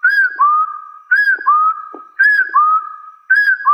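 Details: Hill partridge issuing its rival challenge, repeated whistled couplets, each an arched note followed by a longer lower rising tone, spaced just over a second apart, faint clicks between.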